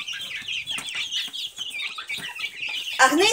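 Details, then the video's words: High, quick peeps from Silkie chicks tumble over one another without pause, ending in a louder sweeping cry. "Цыплята шелковые"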